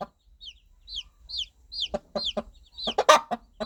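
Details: Baby chicks peeping in high downward slurs, then their mother hen joins with low rhythmic clucks calling them close, including one loud burst near the end.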